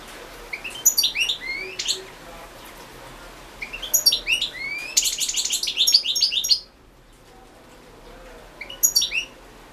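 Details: Competition song of a European goldfinch, entered in the 2016 world goldfinch song championship: lively high twittering phrases of fast tinkling notes and rising slurred whistles, pausing between bursts, with a final short twitter after a quiet gap.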